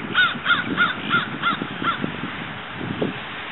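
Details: Florida sandhill cranes, two chicks about one week old, hatched from a watched nest, running and playing in 2012; quick run of arched piping peeps, five or six in a row, then fainter scattered notes amid low rustling.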